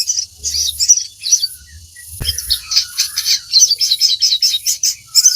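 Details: Lively crimson sunbird song recorded for training captive birds: bouts of hurried, needle-thin chirps building into a continuous high twittering stream, one sharp click midway.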